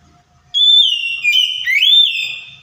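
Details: White-rumped shama singing to coax a silent bird to reply: a sustained clear whistle that holds steady, dips with a sharp break, then swoops upward into a long ringing note, with faint low background hum.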